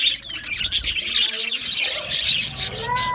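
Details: Chattering budgies, Australian parrots kept as colourful aviary birds, give a steady stream of high warbled twitters and chirps, with a few lower whistled slides near the end.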